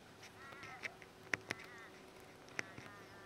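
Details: Pink cockatoo at Aleppo pine cones in the Mallee, Patchewollock, Victoria; soft quavering harmonic calls mixed with several sharp, loud clicks spaced irregularly through the recording.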